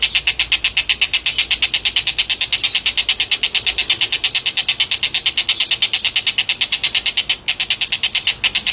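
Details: Collared kingfisher (Todiramphus chloris) call series: a fast, steady run of shrill, harsh, high-pitched chattering notes, about three a second, without a break.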